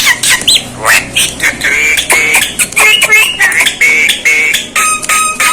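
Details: Javan myna, called jalak kebo, producing strange sounds: a rapid jumble of squawks, sharp clicks, and clear whistled notes, some rising and some held steady, in an unbroken noisy stream.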